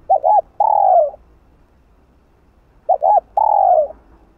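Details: Spotted dove cooing continuously in the 'hạp bổi' style to excite other doves: double short notes then a long, slowly falling coo, repeated twice nearly three seconds apart.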